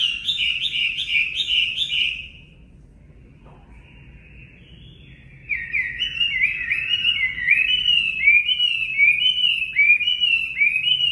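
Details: Singing Chinese hwamei for caged-bird training: a quick series of repeated looping whistles, a quiet spell with one soft held note, then a long stream of loud, varied rising whistles.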